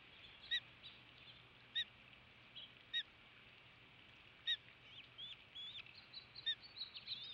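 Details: Osprey at a nest about 80 feet up beside a salt marsh on Skidaway Island, Savannah, Georgia, May 11, 2017, as the male delivers fish: sharp, high whistled chirps every second or two, then softer rising chirps over a faint hum.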